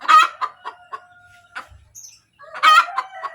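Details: Hen's 'kotek' cackle after laying an egg: a loud harsh squawk, a few fading clucks over a long thin tonal note, a brief pause, then another loud squawk drawn into steady tones.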